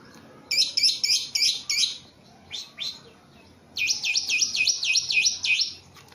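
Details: Javan pied starling, caged and very tame, gives a rapid row of harsh buzzy notes, two rising whistles, then a run of repeated V-shaped whistled sweeps.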